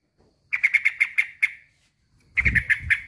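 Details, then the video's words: A male sooty-headed bulbul calls out to a rival with a quick run of about eight sharp chirps, a short silence, then a second rapid series over low rumbling. "kicau suara trucukan jantan memanggil lawan"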